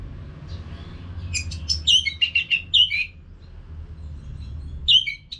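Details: Orange-headed thrush singing nonstop, used as a training sound for caged birds: a lively run of sharp, high whistled and chattering notes in quick bursts, with a pause and then a fresh high phrase near the end.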